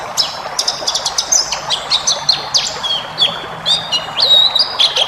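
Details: White-eye 'ngalas' training song for cage birds: bright high chips mixed with short level whistles and quick downslurs in a lively, varied run, faint low hum behind.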